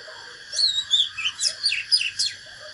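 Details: Whistled fighting song of a natural Oriental magpie-robin, used to fire up other birds: a varied rapid phrase of falling slurs and sharp upstrokes, with soft low notes and steady hiss underneath.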